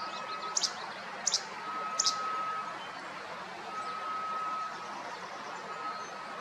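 A Least Flycatcher snaps out its sharp, high 'che-bek' three times in quick succession.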